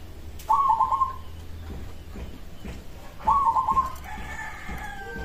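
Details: Local zebra dove song said to make other doves reply at once: two stuttering, rapidly broken coo phrases about three seconds apart, over a low background rumble, with faint higher tones near the end.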